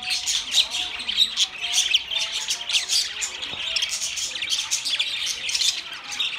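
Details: Budgies in a group give busy, overlapping high chatter, rapid squeaky warbling and harsh little squawks running without pause, loudness pulsing slightly.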